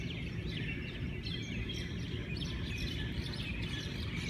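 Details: Many Hawaiian birds singing together in a morning chorus in Hawaii: dense overlapping chirps and short whistled notes, some rising, over a steady low rumble.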